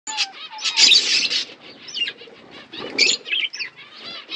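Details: Budgerigar flock eating winter food: dense high chirps and warbles with bursts of wing flapping, a loud fluttering rush near the start and scattered squeaky notes throughout.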